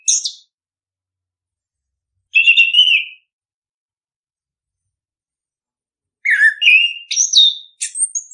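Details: Orange-headed thrush song played to stimulate birds to sing, heard as short whistled phrases with long silent gaps, then a burst of rapid, varied high notes jumping between pitches.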